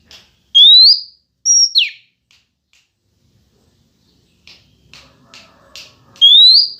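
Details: Female white-rumped shama song meant to provoke males: loud rising whistle, a high note dropping sharply, then faint clicks and short notes before another rising whistle.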